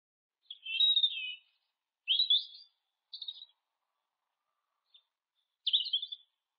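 A European robin sings four thin, high, warbling phrases, each under a second long, separated by pauses of one to two seconds, against a quiet background.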